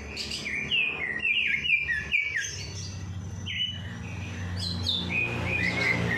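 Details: Bird singing fully after a night bath, used to rouse lazy birds to sing: fast chains of bright twittering, downslurred whistles with brief pauses, over a soft low background hum.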